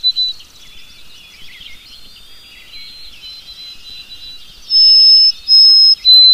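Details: A White-throated Sparrow (Zonotrichia albicollis) sings in spring: long, pure, high whistled notes held steady, then a slightly lower one, over a busy chorus of twittering songbirds.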